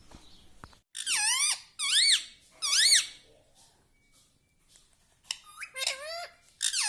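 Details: Pet parrot talking: after faint clicks, three loud, squeaky, strongly rising-then-falling syllables, a quiet gap, then several more nasal, bending syllables near the end.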